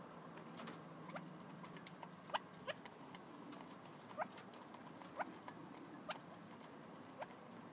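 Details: Red-legged partridge calling with brief, clipped, falling notes spaced about a second apart, set against a constant crackling, tapping background.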